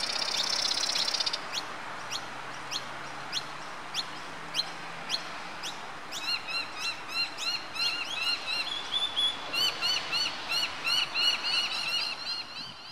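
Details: Australasian grebes, Brisbane Botanic Gardens at Mount Coot-tha, Queensland, Australia, 30 October 2013: spaced high upswept chirps give way to a fast, rhythmic chattering series of clipped notes, several per second, growing louder.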